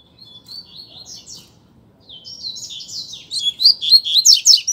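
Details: Double-collared seedeater, known locally as coleiro, in a singing contest against another coleiro: high, fast twittering phrases of sweeping notes. A quieter stretch is followed by a louder, dense burst of rapid chirps near the end.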